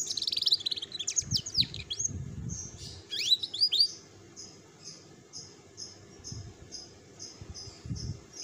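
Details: Adult female domestic canary in breeding condition: bursts of high sweeping notes and chirps, then a slow series of short high tweets spaced about half a second apart, with soft low thumps in the room.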